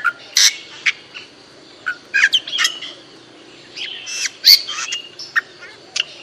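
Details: Bali myna watched in a backyard garden: loud, harsh, broadband squawks alternate with short clear whistled notes in irregular bursts, with fainter chirps of other birds behind.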